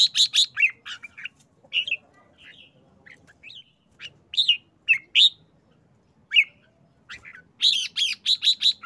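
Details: Red-whiskered bulbul singing short phrases while showing excitement. Quick chirps and slurred whistles are scattered through the middle, and it closes with a rapid 'rik rik rik' series of about six loud, harsh bursts.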